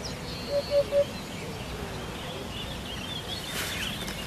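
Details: Hoopoe song: a quick series of three soft, low, evenly pitched hoots within half a second, followed by steady outdoor hiss and a faint rustle near the end.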